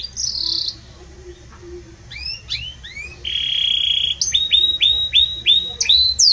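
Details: Belgian canary in strong, warm song, mixing a high sustained note, upward-curving chips, a long steady tone and a series of repeated rising-falling whistled notes.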